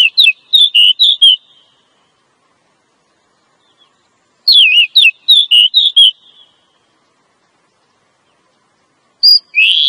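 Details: Female Oriental magpie-robin giving calls meant to attract a male, for luring in forest: two phrases of warbled, looping whistles with quick pitch bends, spaced about four seconds apart, plus a fresh phrase starting at the end.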